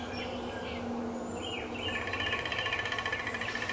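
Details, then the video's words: A male downy woodpecker drumming on a 150-year-old black walnut in Appalachia: a single fast, even roll of knocks in the second half, after faint bird whistles and a low steady hum. "Downy Woodpecker Drumming on Black Walnut"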